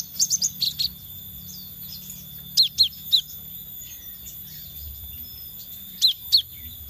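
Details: Scarlet minivet lure sound: three or four thin, high slurred whistles in a rapid run. Two more groups of downslurred notes follow after pauses. A faint constant tone is heard in the background.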